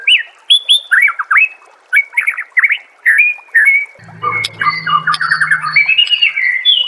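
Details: White-rumped shama master song for training caged birds: rapid varied whistles, slurred notes and chattering phrases, a low hum entering midway, with a denser run of mixed notes toward the end.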